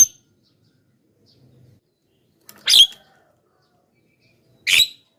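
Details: Javan myna calling to lure wild birds: two rasping, broadband screeches about two seconds apart, with a short bright note at the very start and quiet gaps.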